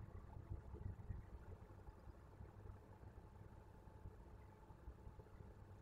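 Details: Low, steady engine rumble like an idling vehicle fills the clip, with no animal voice heard.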